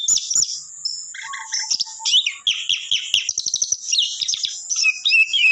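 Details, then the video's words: Long-tailed shrike delivering a dense, varied song full of imitated phrases: high thin whistles, rapid chattering trills and lower warbled notes tumbling together with hardly a pause. "cendet gacor full isian"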